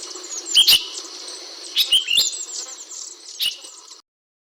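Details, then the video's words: Softer chirping from an ashy bulbul, the brinji kelabu, used as a master bird: short bright notes in two-to-three-note bursts, then a single clipped note, ending abruptly in silence. "Master Bird Chirping Sound Effect Hemixos Flavala/Brinji Kelabu"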